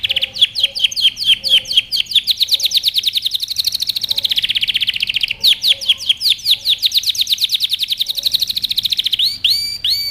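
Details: Yellow canary singing, recorded as a training song for young birds: rapid repeated trills of downslurred whistled notes, switching between tours with faint lower chirps, and a few buzzy rising notes at the close.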